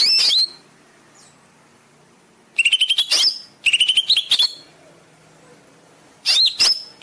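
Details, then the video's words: Caged-bird training song of a greater green leafbird: a high slurred whistle, a long silence, then two quick bursts of rapid chattering notes with sharp accents, and a final pair of bright whistled phrases. "Masteran cucak ijo cepat gacor"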